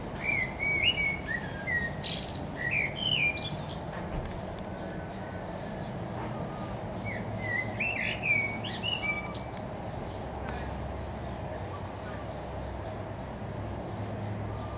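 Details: Common blackbird perched on a treetop, delivering a series of mellow fluted whistled phrases, each ending in squeaky high twitters, repeated about every one to two seconds at first, then quieter with long pauses; low ambient rumble throughout.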